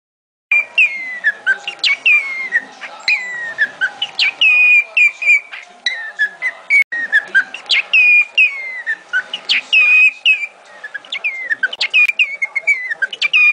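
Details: A pet male cockatiel chatters in a run of bright whistled phrases, mimicking the spoken line "Do the funky chicken! Chicken!" while dancing.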